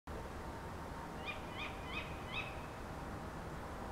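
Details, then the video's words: Tawny owls calling in the early morning of 28 November 2011 from a back garden in Beek Ubbergen, the Netherlands: four short, sharp, high calls in quick succession, about a third of a second apart, over a steady low background hum. "Tawny Owls calling"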